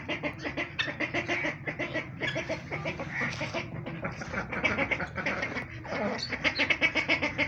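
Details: A flock of white guineafowl gives harsh, rapid, rattling calls that overlap in a constant clamor.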